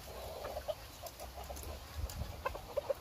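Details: Bantam chicken, bored and wanting to get out, giving short soft mid-pitched clucks, a pair near the start and a louder pair at the end, over a steady low rumble.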